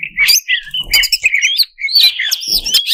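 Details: Greater green leafbird, cucak cungkok, song played to excite competition birds: quick, varied whistled phrases, slurred up and down, broken by short gaps, with soft low knocks in the background.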